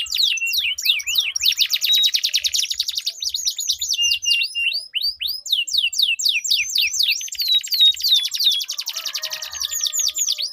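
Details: Two canaries in a song duel, long rolling melodious song used as a singing prompt and contest tutor; continuous high trills packed with fast downslurred notes and clear slurred whistles.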